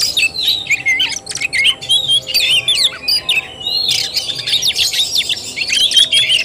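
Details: Fighting-style (tarung) song of an Oriental magpie-robin, 17 August 2021: rapid, tumbling whistled phrases and buzzy chatters in quick succession, with a short lull near the middle before another energetic burst.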